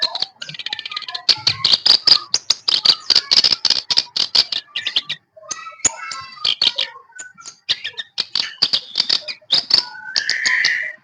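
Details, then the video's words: Sooty-headed bulbul (kerak basi, shincan) kept caged and tutored in ombyokan for two weeks, delivering a long busy chatter of rapid high ticking notes mixed with brief whistles, one short pause midway, ending on a raspy note. "Kerak Basi atau burung shincan hasil ombyokan 2 minggu"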